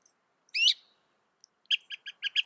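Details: Northern mockingbird singing: one slurred, rising note, a short pause, then a quick run of six sharp, evenly spaced chips.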